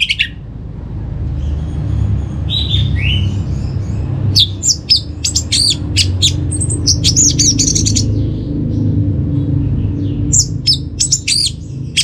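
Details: Orange-headed thrush song from a kept bird in North Bali, played to make birds sing: varied sharp chips, slurred whistles and fast tumbling warbles in bursts, with a steady low rumbling hum.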